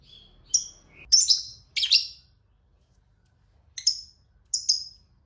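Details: Lovebird of the fighter type, with a lure recording used to get silent lovebirds to answer; short high whistled notes give way to harsh, buzzy chirps, then a pause and paired sharp chirps.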